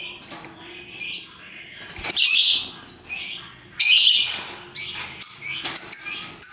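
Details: Hooked-bill lovebird calling ngekek style: repeated loud, harsh, screechy squawks, each under a second long, alternating with softer scratchy notes and sharp thin chirps toward the end.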